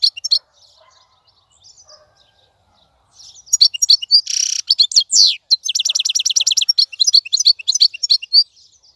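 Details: European goldfinch, caught wild and now caged, gives faint scattered chirps, then launches into loud song with a harsh buzzy note, descending slurs and a rapid, evenly repeated twittering series.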